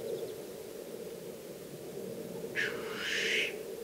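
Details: A black grouse, heard from a hide over a weekend, gives a steady low bubbling cooing throughout, broken near the end by a short, loud, hissing sneeze-like call.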